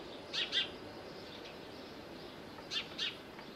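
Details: Little owl recorded in Corfu, Greece, near Bostonia Village: two pairs of sharp, piercing, high-pitched notes, each pair given quickly, with a gap of about two seconds between pairs over soft background hiss.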